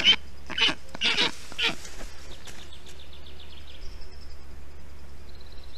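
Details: Black stork chicks in a nest in Estonia on 20 June 2021, during heat while a parent brings water, moss and wet grass to cool them; four loud harsh broadband bursts in the first two seconds, then quiet with faint high chirps.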